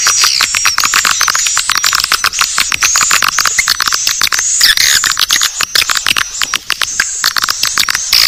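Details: Naga Birahi swiftlet lure: rhythmic, fast clicking chatter packed with repeated short squeaky twitters, many birds calling together without a break.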